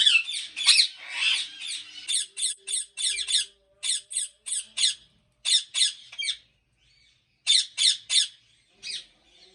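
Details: Ringneck parrots at a large breeding farm in Pakistan give harsh, high squawks in quick bursts, a tight series of short repeated screeches with brief pauses, then scattered single calls; a faint low hum underneath.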